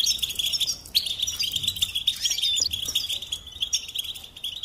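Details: Continuous high, tinkling goldfinch song with quick chirps and rising slurred notes layered over constant thin twittering.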